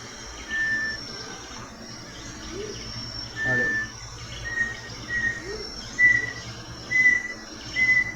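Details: Bartlett's Tinamou, an Amazonian bird of Amazonas and Acre, gives pure, level whistled notes about one a second, each slightly higher than the last, over other Amazonian birds and insects.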